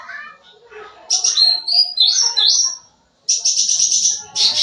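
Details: Sooty-headed bulbul singing energetically with mixed phrases, meant to attract young birds. Soft low sounds lead into a run of quick high warbled and slurred notes, a brief silence, then a long buzzy high trill.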